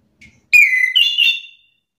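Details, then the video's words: Orange-headed thrush answering another bird's song in an excited state, giving a pure whistled note that dips, then jumps to a higher, warbling whistle held briefly. "Anis kembang mu langsung terpancing emosi ikut bunyi sahut sahutan"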